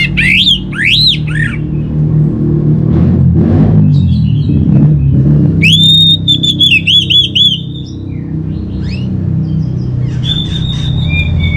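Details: Lure song of an Orange-headed thrush to spur birds into song: looping whistled swoops, then a long quavering whistle with rippling notes and scattered chirps, mixed with thumps and background hum.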